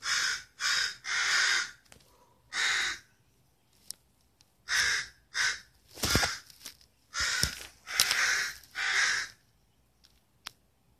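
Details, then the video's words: Loud birds heard from a window in Redmond, Washington, shortly before sunrise at about 4:30 AM, waking the household daily. Repeated hoarse, grating caws in irregular clusters over eleven seconds, interspersed with sharp knocks and clicks. "loud birds outside my window at 4:30 AM"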